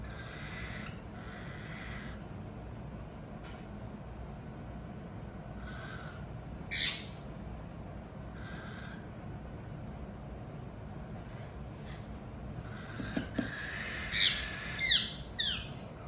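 A cockatiel gives breathy, hissing bursts broken by a few sharp, high chirps.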